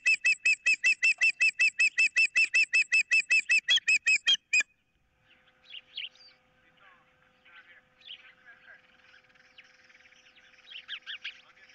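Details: Osprey at its nest, 15 April 2023, with a fish being contested and an intruder about: a loud, evenly spaced string of ringing, whistled notes for several seconds, then softer irregular chirps.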